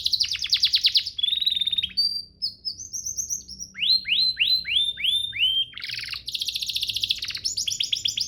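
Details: Master song of a canary, used to train other canaries: rapid high trills, then whistled rising slurs repeated in a series, followed by fast buzzy rolls and sharp chip runs.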